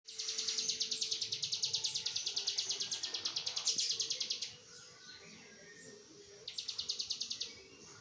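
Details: Oriental white-eye, a kept songbird, delivering a fast, high-pitched rattling trill of evenly repeated notes at about three per second over four seconds, then a short pause and a second burst; faint steady hum underneath.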